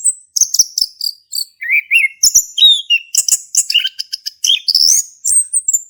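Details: A male orange-headed thrush delivers a continuous ngeplong song to coax another thrush into singing: dense, high twittering and whistled phrases without a break, mixing sharp chirps and short slurred notes.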